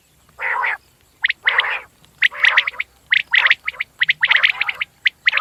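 Common quail giving short, sharp, liquid notes in quick clusters of two and three, repeated about once a second. No other sounds are heard.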